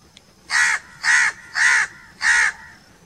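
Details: Crow calling outdoors: four loud, raspy caws evenly spaced about half a second apart, harsh and broad, over a quiet background.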